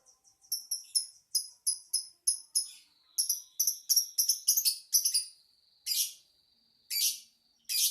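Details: Lovebird giving crisp, high chirps in quick groups, a short thin whistled note, then a few separate harsh, scratchy squawks spaced about a second apart.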